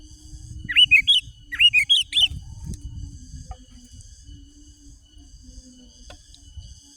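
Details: Sooty-headed bulbul, a lure recording to call wild rivals and provoke dominant males: two bursts of three or four bright, bubbly whistled notes with quick up-and-down slurs, then quiet with a faint low rumble and steady high hum.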